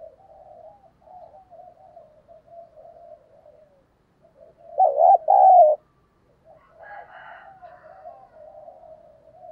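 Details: Spotted dove with a giọng thổ voice, cooing to stir up fighting: one loud, pulsing double coo midway, set among long stretches of faint, low murmured cooing before and after.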